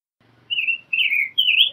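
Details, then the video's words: Rose-breasted grosbeak song with variations: three sweet, robin-like whistled phrases in quick succession, the first steady, the next falling, the last rising, over a faint low hum. "Rose-breasted Grosbeak Singing - Degollado/Picogrueso Pechirrosa Cantando"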